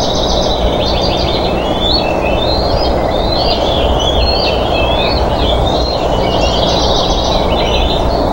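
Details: Minnesota bald eagles fighting over a fish at their nest, filmed by a live eagle cam on 20 June 2014: piercing, squealing, warbled whistles tumbling in a continuous excited chatter above constant rushing background noise.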